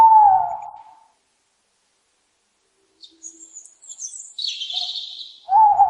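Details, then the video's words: Owl hooting: a smooth, slightly falling whistled hoot opens and closes the recording, with rough, raspy high-pitched calls filling the gap between them. "owls hooting"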